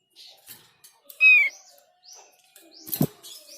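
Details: Thick-billed White-eye singing, a sound claimed to draw replies from others of its kind: a sharp, downslurred whistle among soft, high, rising chirps, with a brief clatter near the end.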